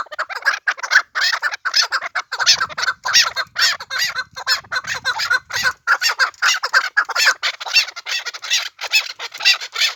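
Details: Pamir chukar calling in quick, raspy clucks that repeat almost without pause, forming a continuous chattering stream; a faint low rumble sits beneath it for a few seconds midway.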